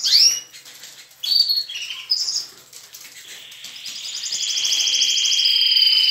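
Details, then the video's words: Morning chorus of young and adult captive canaries in a breeding room; scattered short rising chirps at first, then a building rapid trill that grows louder and steadier toward the end. "Criação de canários/Baderna bagunça de canto estimular filhotes"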